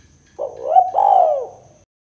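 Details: Luring call of a spotted dove, local name tekukur, in 'kuk 2' style: a short swelling hoot followed by a drawn-out, gently descending coo, mellow and resonant, no other sounds.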